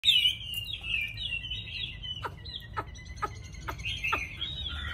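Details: Caged Chinese hwamei, a well-trained singer, delivering rich whistled phrases that slide around a steady pitch, followed by a run of sharp repeated chips, with faint low hum behind.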